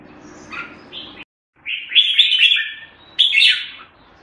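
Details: Jambul (red-whiskered bulbul) from Singapore giving soft opening notes, a silent gap, then a loud rolling warble of slurred whistles followed by one more bright, rich phrase.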